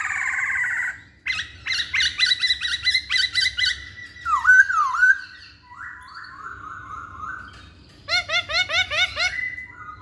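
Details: Lure song of the masked laughingthrush, poksay hongkong, meant to prompt males to answer: rapid chattering bursts, then rich whistled slurs and rising notes, ending in a quick series of repeated upswept chirps.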